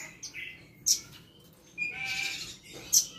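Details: A sooty-headed bulbul tutor bird, recorded 8 September 2022 in cool weather just after rain, gives two sharp piercing chirps about two seconds apart, a short warble, and a buzzy rattle, mimicking indigobird and parakeet chatter for pupil birds.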